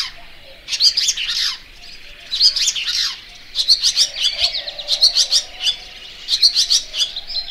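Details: Barn swallow (Layang2 Asia) singing bursts of quick sharp high chirps, each group about a second long, repeated every one to two seconds over a faint hum.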